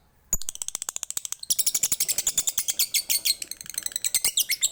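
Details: Lovebird in long chattering song, the ngekek and ngetik style from Bali used as a lure for other lovebirds; opens with spaced sharp ticks, then a fast run of high, harsh, squeaky notes packed tightly together.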